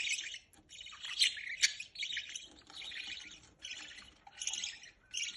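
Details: Budgerigars feeding their young: dense, raspy, high chattering and squeaky chirps in long overlapping bursts, with brief pauses between the outbursts.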